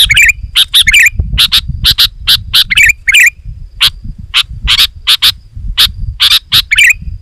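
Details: Sooty-headed bulbul, loud continuous gacor song used for luring wild birds. Rapid run of harsh chirps mixed with bubbly warbled notes over a steady low background rumble.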